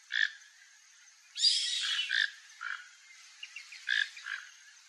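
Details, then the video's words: A free-living toco toucan in Brazil, eating papaya in a yard, gives short, hoarse, frog-like croaks at irregular intervals, with one longer rasping burst in the middle, over an otherwise quiet background. "Toco Toucan Sounds"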